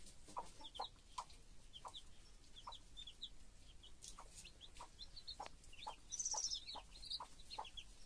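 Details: Hen leading her chicks, clucking low and evenly about every half second, with a steady stream of high chick peeps and one louder trilling chirp burst near the end.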